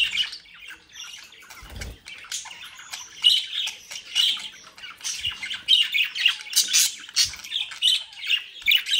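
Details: Several mischievous captive-bred budgerigars in the Den Haag region of South Holland chatter with scratchy squawks and warbling chirps, softer at first, then louder and denser, with occasional low knocks.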